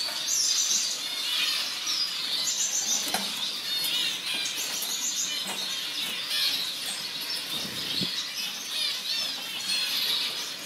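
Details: A group of orange zebra finches gives rapid, overlapping high tweets and squeaks, dense and lively throughout, with a couple of brief knocks.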